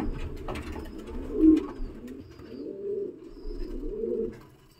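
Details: Racing pigeon, a homer from an imported Jose Thone line; the red female is featured. Low, soft, rolling coos swell and fade in slow repeated phrases, with faint rustling and small knocks in a quiet indoor space.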